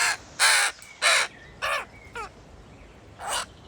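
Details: A weak, dehydrated baby crow that fell from its nest and was adopted gives hungry begging caws, harsh and raspy, five in under four seconds at uneven spacing, with a faint thin whistle between them.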